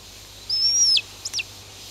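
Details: A rescued White-tailed hawk, filmed while having lunch, gives one thin, high, drawn-out whistle that drops sharply at the end, then a brief higher note, against an otherwise quiet background.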